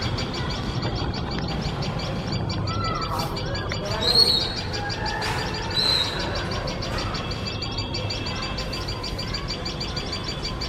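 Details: Alarmed tailorbird pair near their nest while a male cat sits dangerously close, giving loud, shrill, rapidly repeated high chirps throughout, with two louder sharp notes standing out midway against a steady low background hum.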